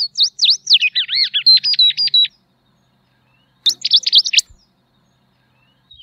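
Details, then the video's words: Tropeiro seedeater song: a fast run of sharp whistled V-shaped notes and down-slurred phrases for two seconds, a pause, then a shorter burst of high rapid notes; no other sounds. "Canto da Patativa Tropeira Sporophila Beltoni"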